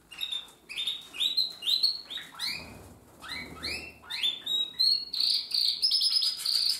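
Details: Practising young Timbrado canary, hatched in 2020: a series of swooping downward notes, a short quiet spell, then more swoops building into a fast, steady high trill.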